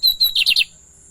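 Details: Pet lined seedeater singing: two clear high whistled notes followed by three quick downward-sliding buzzy notes, the phrase lasting under a second, in a quiet room.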